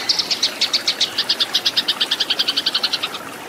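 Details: Eurasian tree sparrow fighting song for training cage birds: a three-second string of bright doubled chirps, steady and rapid, ending abruptly in quiet.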